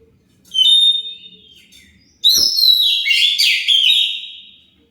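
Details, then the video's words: Oriental magpie-robin song as a lure to get other birds to reply: a brief whistled phrase, a pause, then a click followed by a loud, busy stream of varied whistles and warbles. "Pancingan Kacer pasti nyaut"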